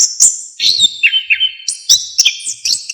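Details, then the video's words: Orange-headed thrush delivering energetic full-isian song used to train songbirds: quick sharp chirps and descending whistled slurs in a fast, varied stream. "KICAUAN ANIS KEMBANG GACOR FULL ISIAN"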